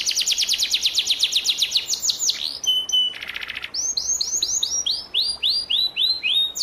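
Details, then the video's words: Canary during moult, a tutor bird for training young canaries: fast repeated descending chirps, a thin whistle, a short buzzy rattle, then a slower series of arched whistled notes about three per second. "masteran kenari paud kenari mabung"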